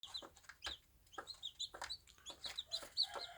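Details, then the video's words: Bantam hen with her chicks on a small farm: short low clucks from the mother, spaced irregularly, among thin high cheeping peeps from the chicks that come in quick clusters. "Cute bantam mum enjoying her day with the babies"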